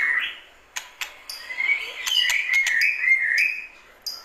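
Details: White-rumped shama, classic calling song: a wavering, warbled whistle rising and falling over a few seconds, broken by sharp clicking ticks at intervals.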